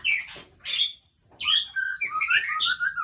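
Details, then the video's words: White-rumped shama of the Aceh type, recorded at Kandang, Ladong, Aceh Besar, Indonesia: loud clear whistled phrases, two short bright notes, then a run of rich rising and falling whistles and warbles. "Murai Aceh"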